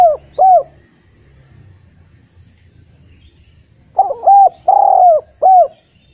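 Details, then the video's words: Collared dove coo song meant to prompt hesitant spotted doves into singing. A pair of clipped arched coos, a long gap, then a rolling phrase of a short note, a drawn-out middle coo and a final short coo. "Derkuku gacor cocok untk memancing tekukur bahan yg malas bunyi"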